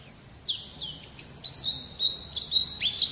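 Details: White-eye known as pleci in lively song: high whistled notes that drop and slide, then a jumble of sharp chirps and short trills, loud and clear against faint background hiss.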